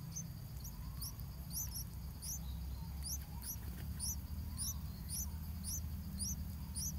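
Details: Thin, very high squeaky chirps, repeated rapidly in twos and threes about every second, over a steady low rumble, at a bulbul nest where a skink attacks and eats a nestling in front of the mother; bulbul.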